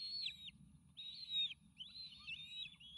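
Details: Bald eagle eaglets, triplets near fledging age on a Sauces nest cam, 29 May 2018, excited as a meal is delivered: three faint, drawn-out, high whistled squeals with breaks between, over a steady low hum.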